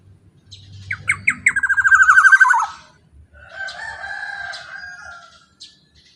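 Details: Black-naped oriole singing loudly as a lure for other orioles: a few sharp notes, then a fast buzzy run of repeated notes that slides downward, followed by a softer, quieter warbling passage.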